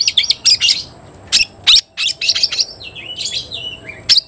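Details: Oriental magpie-robin in full song against a fighting rival, delivering rapid bursts of high, sharp chattering notes and clear whistles, with brief pauses between phrases and a steady faint hum behind.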